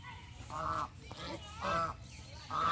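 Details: In a Bangladeshi village, a domestic goose gives three loud, nasal honks about a second apart, each brief and slightly rising, over a low background rumble.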